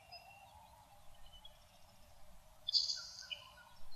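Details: Nelson's sparrow singing in a Maine saltmarsh: a single short, wheezy, hissing buzz like escaping air, then a few soft high notes, over faint background hiss.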